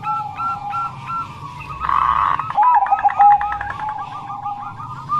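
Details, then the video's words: Bangkok-strain zebra dove song: a few spaced cooing notes, then a dense, partly masked stretch of overlapping calls, ending in a quick run of short coos. "Perkutut Bangkok Gacor"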